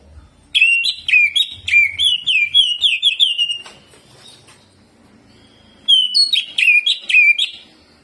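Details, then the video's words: Greater green leafbird delivering spirited jamtrok song with ciblek mimicry and rolls: choppy, swooping whistled notes for three seconds, a quiet gap, then another burst of rapid chirps. "CUCAK IJO GACOR JAMTROK ISIAN CIBLEK DAN NGEROLL"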